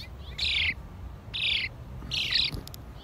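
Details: House sparrows chirping: three strong, harsh, falling chirps roughly every 0.8 seconds, with faint softer chirps between them and light clicking near the end over a low background hum.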